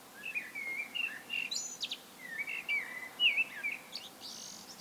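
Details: Solo common blackbird song: a continuous run of fluty whistled notes, some sliding and looping, broken by short high scratchy twitters and ending in a soft hissy flourish.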